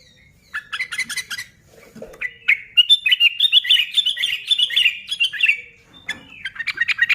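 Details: Sooty-headed bulbul singing, used to spur other bulbuls to sing: bursts of sharp chirps, then a long run of rapid, warbling slurred notes, a brief pause, and another burst of quick chirping.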